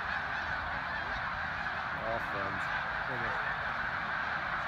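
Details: At Middle Creek, Pennsylvania, February 24, 2024, 10:52 AM, snow geese keep up a thick background chorus. A few clear, repeated barking honks rise above it near the middle of the recording.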